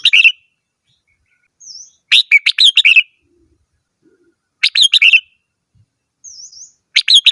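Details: Red-whiskered bulbul song: lively chattering phrases of several rapid warbled notes, each preceded by a soft wavering whistle, repeated roughly every two and a half seconds.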